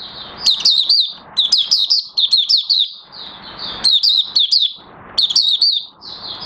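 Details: Oriental white-eye, locally Mata Puteh Raja, beginning to sing again on 30 August 2022 as its new white feathering nears full colour; bright, high chirping bursts of fast zigzagging notes, repeated with brief gaps.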